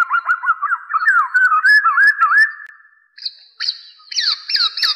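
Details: Black-naped oriole (kepodang emas or kepodang jawa) lure recording for trapping: a steady run of wavering fluty whistles, followed by sharp, high, repeated chips.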